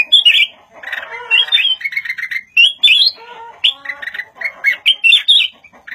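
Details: Red-whiskered bulbul kept as a cage bird, singing a lively run of bright, slurred whistles and chirps, phrases tumbling one after another with brief gaps.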